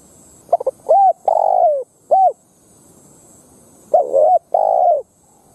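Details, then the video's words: Spotted dove decoy cooing to draw wild doves into combat, two low phrases of stuttered short notes leading into longer, slightly descending husky coos, with a pause between phrases. "Tiếng Chim Cu Gáy mồi đất gáy kích bổi"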